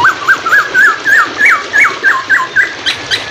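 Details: Hwamei singing a fast run of clear, slurred whistles that rise and fall, about three notes a second, over a faint hiss, with flowing water in the background.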